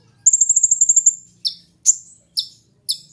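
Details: A sunbird opens with a rapid, even trill of about ten bright notes, followed by four separate sharp, piercing chips spaced about half a second apart; recorded for luring or tutoring songbirds.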